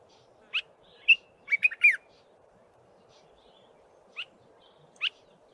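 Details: Common bulbul recorded early in the morning, giving short, sharp chirps and a quick run of four or five bright, slurred notes, spaced irregularly over a steady low hum.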